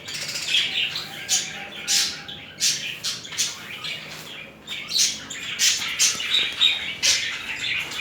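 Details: Budgerigar pair mating and behaving tenderly; a fast, uneven series of sharp chirps and scratchy squawks runs over a continuous soft warble, roughly one to two notes each second.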